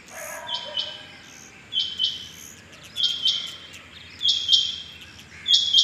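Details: Chingy bateer, the rain quail, heard on the morning of 6.7.21 giving evenly spaced, high metallic doubled notes roughly every 1.2 seconds, a faint hiss underneath.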